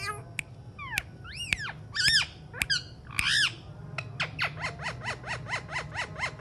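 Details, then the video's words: Alexandrine parakeet talking: first separate clicks and harsh arched notes, then a fast, even series of short downward chirps repeating about five times a second until the end. "alexandrine parrot talking"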